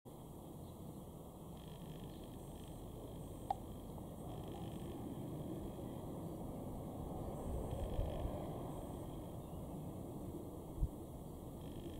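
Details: A steady low rumble like an engine or fan, with faint electronic tones and a couple of sharp clicks; no birds can be picked out.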